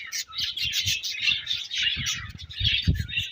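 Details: Colony of budgerigars filling the air with continuous chirping, a busy high-pitched chatter of short warbled notes over faint low knocking.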